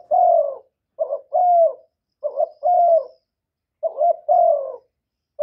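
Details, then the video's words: Young male spotted dove calling loudly in a noise-free recording: low, slightly rasping coos grouped as a quick double note and a long falling coo, about four phrases in succession. "Tiếng chim cu đất gáy lớn tiếng, cu gáy thúc, cu gáy gọi, cu trống tơ gáy to, cu cườm gáy,cu đất gáy"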